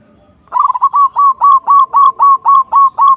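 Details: Local zebra dove giving a steady run of about eleven rapid, evenly spaced coo notes, each a short rolling hook, repeated roughly four times a second.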